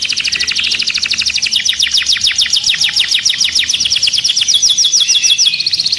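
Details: Canary song for mating and rousing other birds: steady rapid trills of high notes, some phrases slightly slower and more separated, flowing on without a break.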